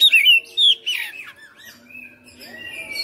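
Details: Caged white-rumped shama singing hard as a home-kept fighter: two bright slurred whistles open, then softer warbling notes fading into quiet, thin sustained tones and faint background hum.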